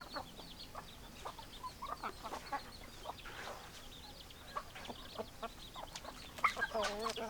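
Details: Domestic chickens, hens and roosters, clucking in a busy flock; many short overlapping clucks and chatter, quiet at first then louder near the end, with a low steady hum underneath.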